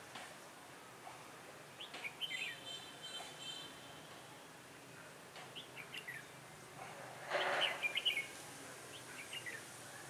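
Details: Decoy red-whiskered bulbul at a trapping site on a cold, windy day, 16 December 2017, gives several short, lively whistled phrases spread across ten seconds. A loud rustling noise breaks in midway.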